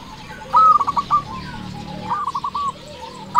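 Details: Local perkutut (zebra dove) in lively song, played to draw in and excite other doves: two short bursts of mellow, bubbling coo notes, separated by a pause, over faint background hiss.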